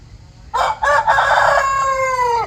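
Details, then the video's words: Morning crow from a rooster waking the household: a loud, raspy cock-a-doodle-doo with two short choppy opening notes, then a long drawn-out final note that slowly falls in pitch, running to the end. "My beloved Rooster crowing It is a free nature alarm clock"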